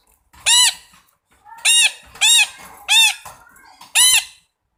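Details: Five raucous, grating screeches from a red-breasted parakeet, evenly loud and strongly harmonic, delivered at an uneven pace over several seconds, with a quieter rasping note before the second call.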